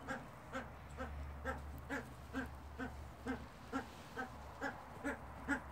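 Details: Himalayan monal giving a series of short, nasal, harmonic notes repeated roughly every half second at an even pace, over a steady low hum.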